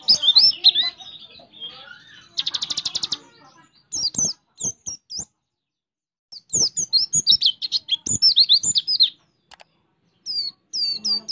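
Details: Oriental white-eye song carrying imitated bush warbler notes: scattered high chirps, a fast buzzy rattle, then clustered sweeping whistles broken by gaps of silence.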